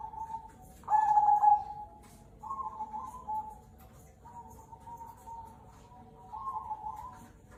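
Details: Cemani Kolbuntet Zebra dove singing, local bird used as a prompting song: one loud rolling coo near the start, followed by a run of softer, drawn-out coos at an even pitch, faint hum underneath.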